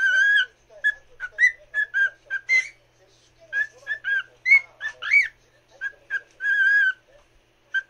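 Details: Singing to a fellow cockatiel, the pet bird delivers a long chain of choppy whistled notes, some buzzy and rising, packed closely, then a steady held whistle near the end.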